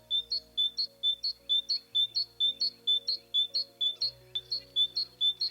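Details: Eurasian blue tit in Ukraine giving high, thin two-note phrases, repeated steadily about twice a second, over soft background music.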